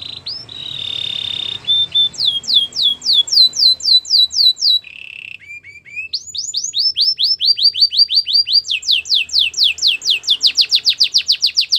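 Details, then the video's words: Belgian canary song for canary training: opens with buzzy sustained rolls, then runs of sweeping whistled notes, a short buzzy pause, and long rapid trills of repeated curved notes that grow louder toward the end. "Belgian canary singing"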